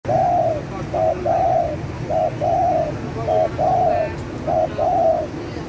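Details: Spotted dove calling vigorously, used as a lure for catching birds: a steady run of low, hollow cooing phrases, each a short coo or two followed by a longer drawn-out coo, repeating roughly every second over a dull background rumble.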